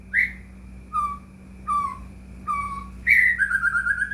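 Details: White-rumped shama song meant to make another shama respond: single clear whistled notes spaced less than a second apart, ending in a long warbling, trilled whistle.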